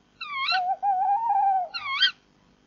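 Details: Tawny owls at a nest box at 3:26 am on 10 April 2014, as the male brings prey to the female and both call. A drawn-out, wavering tonal wail with rising upslurred notes at each end. No other sounds.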